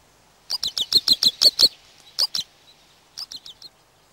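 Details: A Western Yellow Wagtail, recorded in Corrèze, France, as a rare or passage bird, gives high, thin chirps: a quick run of about eight, then two, then four more, with no other sounds.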